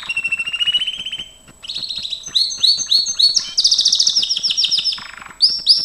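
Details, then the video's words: Gloster canary singing for training, starting with a steady low rapid trill, then sharp rising chips and a loud, quick, high rolling trill, with a brief buzzy low section before final upswept notes. "GLOSTER CANARY SINGING"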